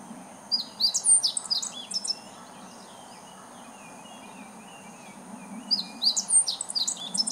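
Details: Meadow bunting (Emberiza cioides), recorded 2014-07-19, singing as though calling to the neighbourhood; two quick high phrases of chirped and whistled notes, about five seconds apart, with a soft low hum between them.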